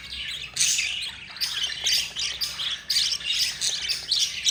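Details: Four budgerigar chicks being fed by their yellow mother, giving harsh, raspy squawking bursts in quick succession, broken by short pauses.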